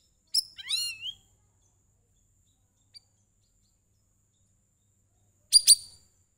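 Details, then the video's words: Sooty-headed bulbul singing to lure other birds into singing: a quick, bubbly run of wavering and descending whistled notes lasting under a second, then a long silence before a sharp, bright double burst of notes near the end. "KICAU CUCAK RAWIS PANCING BURUNG LAIN BERBUNYI"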